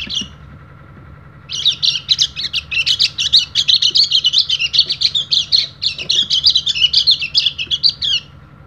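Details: Oriental white-eye, a Balinese trainer bird calling rivals, opens with a brief note, then after a pause pours out a long, rapid, scratchy chatter of high chirps, roughly four notes a second, for about seven seconds.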